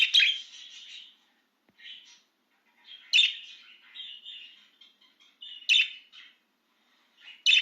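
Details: Budgerigar, excited and out of its cage, chatters in quick warbling bursts broken by loud sharp clicks about every two to three seconds, with brief silent gaps.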